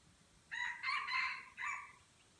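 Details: Red junglefowl crowing in a crowing contest at Kuta Malaka, Aceh, Indonesia: a moderately distant, rough four-syllable crow with a short opening note, a long central section and a brief final note, set against faint insect hum and ambient rumble.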